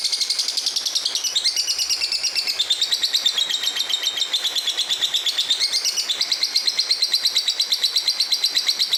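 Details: Fighter lovebird in full gacor song: a long, nonstop run of piercing twittery notes at a rapid, even pulse, with pitch wavering up and down in short phrases, indoors.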